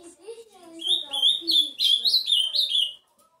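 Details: Ultramarine grosbeak song of bright, slurred whistles building into a lively warble, over a low, soft tonal background sound at the start.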